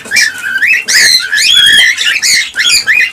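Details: Cockatiel calls meant to stimulate mating: loud, clear whistled notes rising and falling in waves, five or six separate phrases in quick succession, each about half a second long.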